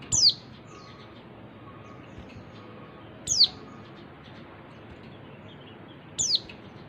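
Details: Oriental white-eye female calls meant to spur males to sing; three brief high downslurred chirps roughly three seconds apart, with a faint low hum beneath.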